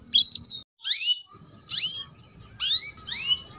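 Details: Female canary chirping, kept to coax young males into singing: a short rapid trill of about eight high notes, then four sweeping chirps, each a bright upward-curving note with a fainter lower echo, spaced roughly half a second to a second apart.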